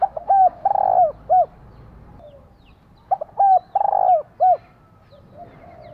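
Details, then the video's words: Female spotted dove exciting a male: the same rolling coo phrase of short hoots, a long trilled middle note and a falling end note, given twice about three seconds apart. "Cu mái kích trống cực sung 30 phút hiệu quả."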